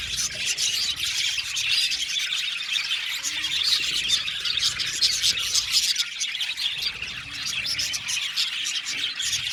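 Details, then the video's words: Blue male budgerigars give a dense, ongoing chorus of high chirps, twitters and scratchy warbling, steady in loudness with no pause. "Beautiful Bule Male Budgies sounds | Budgies chirping sound"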